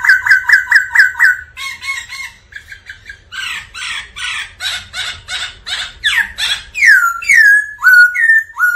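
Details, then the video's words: A black laughingthrush sings a loud, varied run of rapid chattering notes, harsh bursts and ringing slurred whistles, changing phrases every second or so. "Chim khướu Mun hót múa kích bổi cực căng"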